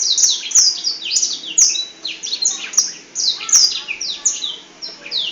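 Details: A Black-throated Canary in a small indoor space sings a long, fast, unbroken run of thin, high, falling and twittering notes, loud and continuous, while spreading its wings.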